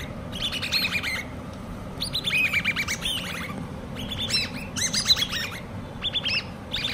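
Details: Hand-reared common babbler chicks calling in short bursts of rapid falling chirps separated by brief pauses, about five bursts, with low background rumble.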